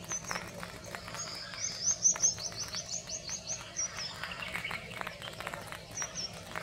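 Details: Common redshank recorded in India, giving a run of short, high, sharp piping notes, clustered in a quick series mid-clip with scattered single notes before and after, over a steady insect-like hiss.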